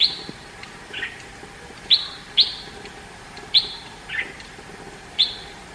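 A red-whiskered bulbul gives short, bright chirped notes, some sharp and some softer and slurred, spaced irregularly about once a second over faint background hiss.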